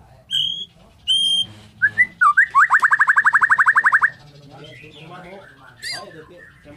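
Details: Morning singing by a Borneo white-rumped shama: two long high whistles, a few slurred notes, then a fast, regular trill of about twenty repeated notes before quieter chatter.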